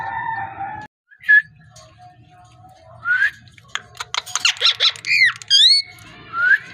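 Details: Parrot mixing rising whistles with a rapid clicking rattle and looping squeaky notes, ending in a rising whistle, over a soft room hum.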